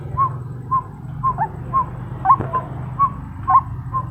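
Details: Female white-breasted waterhen calling to males: short, hooked mid-pitched notes repeated about twice a second, unevenly spaced, over a steady low hum.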